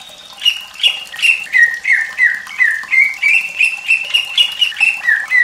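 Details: White-rumped shama song, a fierce style meant to teach juvenile birds: a string of loud slurred whistles stepping down then rising again, about three notes a second.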